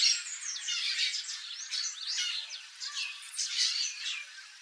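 Turquoise-fronted amazons give harsh, grating squawks and raspy chatter, several overlapping in a steady, noisy run with no pause.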